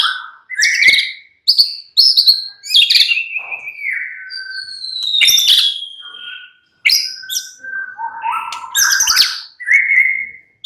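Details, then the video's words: White-rumped shama, murai batu, in a relaxed singing style, producing varied whistled phrases that slide down from high notes, mixed with sharp chips and steady low whistles, separated by short pauses. "murai batu sudah ikut NYRECET GACOR dengan kicau Santai Murai batu ini"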